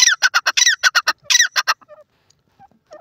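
A francolin gives a rapid run of a dozen harsh, squeaky notes in under two seconds, then a few softer, scattered notes trail off.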